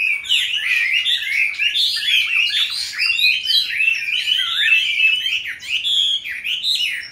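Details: Captive Chinese hwamei, one of a group reared from youngsters and in its fifth year. The song is continuous and jumbled, made of quick looping whistles and chattering slurs with a steady, busy delivery.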